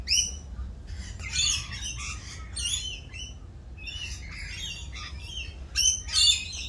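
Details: Mating-season rainbow lorikeets, louder than usual as they dance, trade piercing screeches and chattering squawks, with loud bursts at the start, middle and end.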